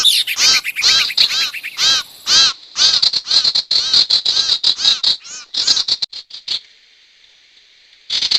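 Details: Sirtu bird call used to lure wild birds for trapping: rapid rhythmic chirps close to two per second, then a dense run of quick notes, fading to a faint steady hiss before resuming.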